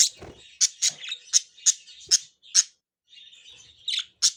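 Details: Three pet budgerigars kept together, playing and chirping excitedly: a run of short, sharp, high chirps in quick bursts with brief pauses, plus a softer scratchy chatter underneath.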